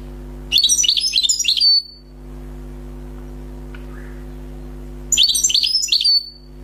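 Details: Newly wild-caught European goldfinch singing: two short bursts of high, tinkling twittered notes about a second apart, with a steady low electrical hum underneath and nothing else audible between phrases.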